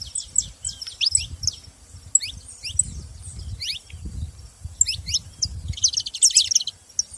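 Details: Saffron finches calling in a group: scattered high chirps and falling notes over a steady low rumbling background, ending in a dense burst of fast twittering.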